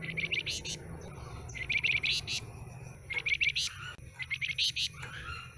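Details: Flamboyan with a broken-off tail, fresh from a trader's bulk batch, repeats short phrases of quick chipping notes ending in high sharp accents, about four phrases in a few seconds, over a steady high drone.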